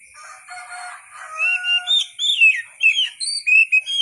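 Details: White-rumped shama song in natural wild style for songbird tutoring: soft lower chatter opens, then a string of bright whistled slurs and quick upward notes with a steady high background tone.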